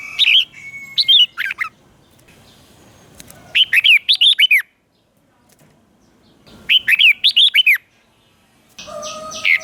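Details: Red-whiskered bulbul lure bird singing to entice wild birds to contest: short clustered phrases of quick whistled, slurred notes, repeated roughly every three seconds with quiet gaps, and a harsher burst at the end.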